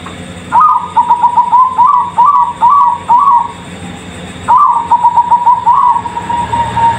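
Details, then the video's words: Zebra dove of the Bangkok type, rated as exceptional, singing two phrases of soft cooing notes, each opening with a higher note and running into a rapid string of short pulsed coos, steady background hum. "Perkutut Bangkok Istimewa"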